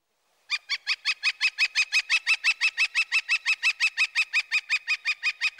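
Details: Northern Flicker typical call, which hangs on one pitch longer: a long even series of about thirty loud, sharp notes, around five per second, steady in pitch and volume from start to finish.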